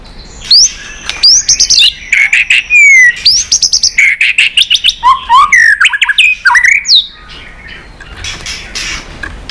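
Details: Competition song of a White-rumped shama, tail beating and roused: bright upslurred whistles, long falling slides and rapid chattering notes in quick succession, then quieter after seven seconds.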